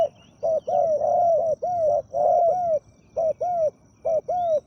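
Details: Spotted dove decoy held captive to lure a wild dove, with a big-voiced 'khu ang' coo. Close, mellow hoots come in runs of several notes, then two shorter pairs, each note bowed and slightly falling.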